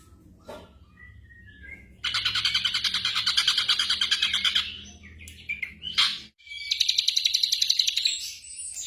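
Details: Black drongo song played at night as training for caged birds: near-silence, then a dense, buzzy, rapidly pulsed chatter for three seconds, a few sharp notes, and another fast pulsed trill.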